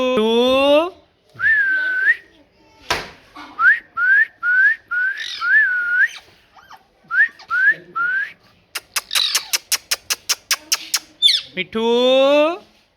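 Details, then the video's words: Parrot mixes harsh voice-like squawks with strings of short rising whistles, a sudden loud snap, and a burst of rapid clicks before another raspy squawk. "Parrot Talking"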